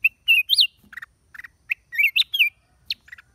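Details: Song of a black-crested bulbul from 29 December 2023: loud, clear whistled phrases that rise and fall in bright loops, broken by short lower chirps and brief pauses over a few seconds.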